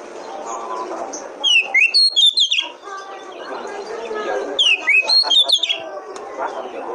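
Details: Oriental magpie-robin (kacer) singing as a lure for other birds: two loud bursts of quick, slurred high whistles and chirps, separated by muffled chatter and background noise.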